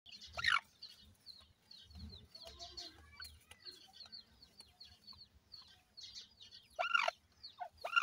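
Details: Partridge chicks being raised by a keeper at feeding time: many thin, high, downslurred peeps overlapping constantly, with louder bursts of scratchy clatter and a few low clucks near the start and end.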